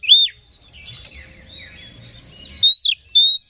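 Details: Oriental magpie-robin lure song, played to excite other magpie-robins: a loud high whistled phrase at the start, faint distant warbling through the middle, then bright clear whistles near the end.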